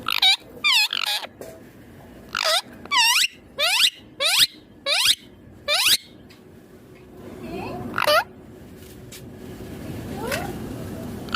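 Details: Green Indian ringneck parakeet giving a run of harsh, arched squawks in quick clusters, then a few fainter sliding calls as a hissing background noise rises.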